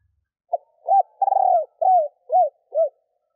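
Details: Female spotted dove stimulating males with a single six-note coo: a short hoot, a rounder coo, a long rough pulsing note, then three clear arched coos.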